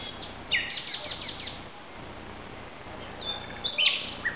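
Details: Common nightingale sings at night, 2:30 am on 17 May 2009 in Barcelona, Spain: a rapid run of repeated high notes, a pause, then a clear whistle and a burst of sharp notes, over a soft background hiss.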